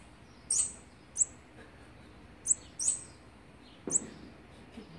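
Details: Olive-backed sunbird at the nest, feeding its young on day sixteen, October 2019; high, thin, sharp chirps in irregular spacing, six notes in five seconds, with a brief thump near the middle.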